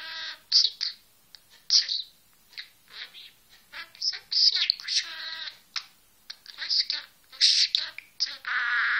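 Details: A pet budgerigar chatters in squeaky, rapid bursts that imitate human words, saying "Bismillah".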